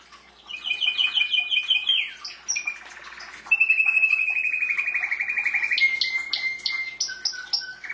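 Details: Singing pet canary: a rapid repeated chattering phrase, a dropping slur, then a long sustained buzzy trill and lower steady trilled notes.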